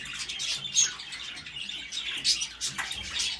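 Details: A pair of African grey parrots while mating give harsh, hissing, high-pitched rasps in irregular bursts, about one every second or two, with a few brief squeaky notes between them.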